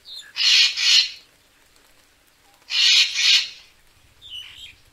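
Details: Racket-tailed treepie calling, a recording meant as a lure for bird photography: two loud, rasping, broadband double bursts about two seconds apart, then a few soft thin chirps at the end.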